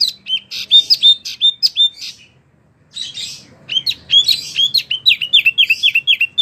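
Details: Wambie mini singing intensely for songbird tutoring: a burst of high chirps, a brief silence of about a second, then a fast rhythmic series of repeated upslurred whistles.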